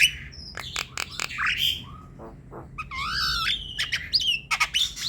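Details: Javan myna song used to prompt a quiet myna into singing: varied whistles, sliding notes and harsh clicks, with a wavering rising-falling whistled phrase near the end.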